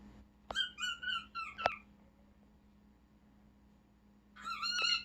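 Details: Pet cockatiel indoors, excited while watching birds outside: short harmonic chirped calls in a quick burst, a pause of over two seconds, then another rising burst; sharp clicks and a low steady hum beneath.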